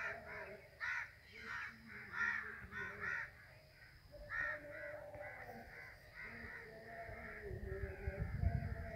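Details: Crows flying overhead utter clustered raspy caws in short volleys, then fainter scattered calls. A low rumbling, like wind or traffic, builds toward the end.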